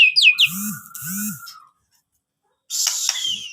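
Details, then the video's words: White-rumped shama singing energetically: a few quick, high whistled sweeps open the phrase beside a steady mid-pitched tone and two low arching sounds, then a second of silence before harsher, noisy high notes. "murai gacor"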